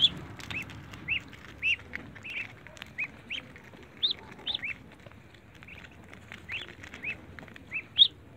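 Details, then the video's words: Muscovy ducklings in a backyard, jumping to eat eggs: high arched peeps repeated irregularly, about two a second, some louder and sharper, over a low steady background hum. "BABE DUCKS JUMPING TO EAT EGGS MUSCOVY DUCKS IN THE BACKYARD"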